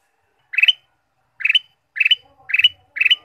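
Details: Ruby-throated bulbul sound used to stimulate caged birds: five harsh, buzzy chattering bursts, each a quick cluster of notes, spaced about half a second to a second apart, with a faint low hum.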